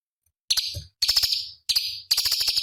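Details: Cucak cungkok, a small songbird used as master song for competition birds, sings four closely spaced high, shrill buzzy phrases with rapid clicking starts, the final one longer and more rattled.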